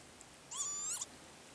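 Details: Male northern lapwing recorded at the Azot biological ponds near Berezhany: one slurred wheezy whistle climbing steadily, then dropping sharply at the end, with bright overtones and faint background hiss.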